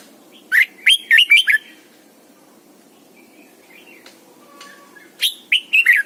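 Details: Red-whiskered bulbul, a caged lure bird, giving its morning double-note song used for training. Two bursts of four or five ringing whistled notes, separated by a quiet gap with faint thin chirps. Low background hum.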